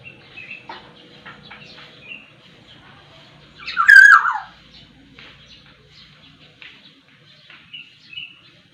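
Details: A Sumbawa black-naped oriole (Oriolus chinensis) sings one loud, rich, slurred whistle that drops sharply in pitch midway, with faint short whistles before and after it against a quiet background.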